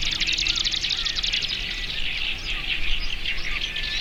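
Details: Distant Marsh grassbird in early May at Watarase wetland, Japan, recorded binaurally: a fast run of dry buzzy strokes for over a second, then a denser chattering chorus of other reedbed birds with faint curved whistles.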